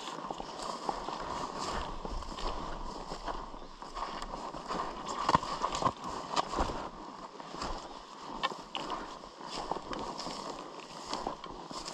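Water sloshes and paddles splash against a boat, with a faint hum of voices and no clear animal calls.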